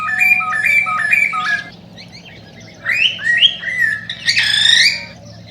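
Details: Cockatiel singing, used to encourage mating: a run of stepped two-note whistles, then a pause, then upward-sweeping harsh whistled notes, over a steady low hum.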